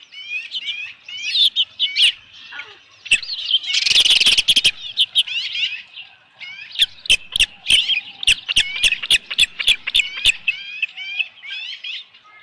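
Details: Recorded at an osprey nest on 15 July 2018 near 7:55 PM during a headless-fish delivery: strings of high slurred whistles, a loud burst of flapping noise, then steady sharp chirps with clicking taps.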